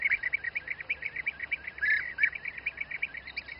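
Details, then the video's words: Rolling, burry trills from bee-eaters feeding their young in Czech Republic's Přerov region, repeated almost continuously several times a second throughout, with one louder drawn-out call near the middle. "Bee-eater feeding youngsters"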